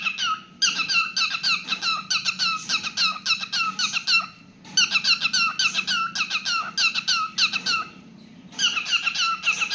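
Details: Pet cockatiel singing inside a small room, a fast string of squeaky, bent whistles and chirps delivered in bursts with brief pauses between phrases; a low hum runs underneath.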